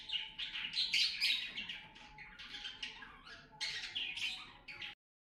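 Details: Breeding cockatiels, a busy stretch of overlapping chirps and short squawky notes in rapid bursts, with several birds calling at once before cutting off.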